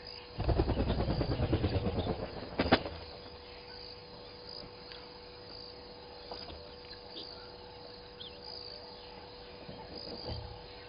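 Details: Helmeted guineafowl at Gowrie dam waterhole, Djuma Game Reserve, Sabi Sand, South Africa, settle for the night at 18:22 on 26 October 2020, giving a burst of harsh, rapid cackling before fading into quiet background hum.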